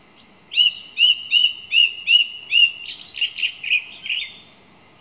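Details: A song thrush repeats one short whistled note about six times in quick succession, then switches to a run of varied, slightly harsher rapid notes.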